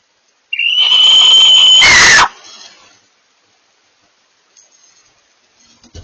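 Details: Barn owl pair communicating: a long, steady, high, whistled screech lasting about a second and a half, ending in a harsh rasping burst, then quiet.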